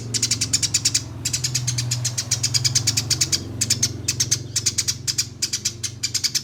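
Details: Contest master song of a Eurasian tree sparrow, rapid evenly spaced high chips strung into long speedy rolls broken by brief pauses, with a persistent low droning hum behind.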